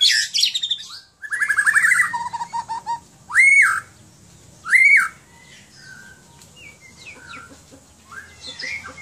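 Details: White-rumped shama kept in Aceh, Indonesia: a sharp high opening, then a rapid rattling trill sliding into lower whistles, two loud ringing whistled notes rising and falling, and soft scattered notes trailing off.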